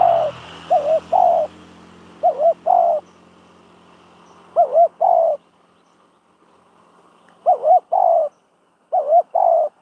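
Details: Decoy spotted dove in trapping practice, cooing in paired phrases: a rapid wavering double coo, then a held coo, repeated several times. A low mechanical hum fills the background early and fades later.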